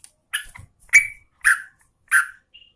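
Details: Female sooty-headed bulbul of the Garuda type calling to a male: four short, harsh, chirping notes spaced about half a second apart, each bursting bright and falling away quickly, with a faint thin whistle at the end.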